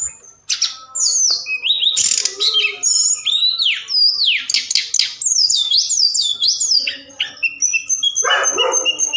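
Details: Forktail lure call played at night to excite other birds into answering: a fast, varied stream of very high, sharply swooping whistled notes with scratchy bursts, almost continuous and loud, ending in a longer thin high note.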